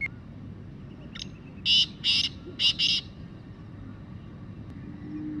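Black francolin giving a faint opening note, then four loud, harsh, grating syllables in two quick pairs over about a second, against a low steady background hum.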